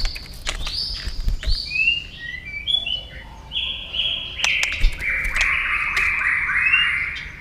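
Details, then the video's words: Varied song of a white-rumped shama, meant to excite other shamas into singing: a long chain of whistled phrases that shift up and down in pitch, mixed with sharp clicks and low knocking sounds. "Chòe Lửa Hót Nhiều Giọng, Luyện Chòe Lửa Hót Căng"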